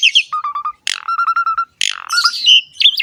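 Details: Asian pied starling in a very vocal, richly varied song used as a lure to prompt young birds to sing. Chattering notes lead into a run of even whistled notes near one pitch, then harsh bursts and high squeaky phrases.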